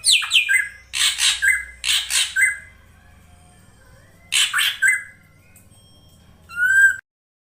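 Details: Female drongo used to draw a male into singing: loud harsh squawks in three groups of two to three, each ending in a level whistled tail, with a clear whistled note and higher overtones near the end.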